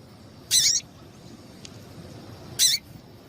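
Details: A female double-collared seedeater gives two short, harsh, high chips about two seconds apart over quiet background hiss; the female call is used to stimulate males into singing.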